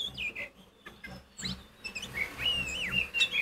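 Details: Oriental magpie-robin in loud provoking song, sliding whistles and a long wavering whistled phrase over faint background noise.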